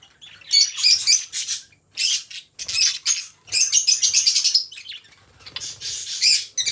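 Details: A pair of pet budgerigars, companions to each other, pouring out rapid rasping, chirpy warble phrases in several loud bursts with short silent gaps between them.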